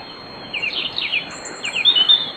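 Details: Night-time European robin song before dawn in a riverside grove near Bóveda, Lugo, Spain: quick clusters of high, thin, downslurred notes in two bursts, a brief sweet warble, with a constant faint high tone behind.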